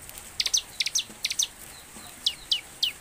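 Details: Bar-winged prinia in lively song, played as a lure to get birds singing: brief clusters of two or three piercing high chirps separated by short pauses, ending with single downslurred notes, against quiet hiss.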